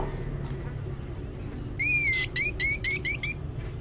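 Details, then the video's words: Van Hasselt's sunbird singing actively: a couple of high thin whistles, then a rapid burst of about six rich, ringing chirps with strong overtones, over a low steady hum. "Kolibri Wulung Gacor"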